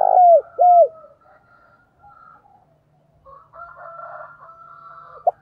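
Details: Decoy spotted dove calling to draw in wild birds: two low coos, each bending downward at the end, followed by a long harmonic crow from another bird in the background and a final short note.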